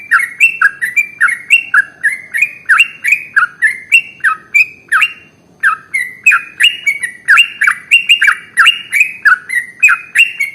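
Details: Trucukan, the sooty-headed bulbul, in a long continuous ropel song meant as a lure to get other birds singing. Dense, bubbly phrases of clicky onsets and falling and rising whistled slurs tumble on for ten seconds with one brief pause.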